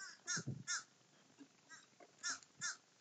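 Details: A murder of crows feasting gives harsh caws in quick pairs. Three loud calls fill the first second and two more come near the end, with soft scuffling and lower calls between them.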